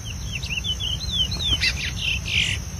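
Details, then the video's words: Wild chestnut-bellied seed finch (curió) singing in preseiro style out in the bush: a quick string of clear whistled, slurred notes, then brighter buzzy bursts, over a steady low rumble and a constant high hum. "CURIÓ PRESEIRO DANDO SHOW NO MATO"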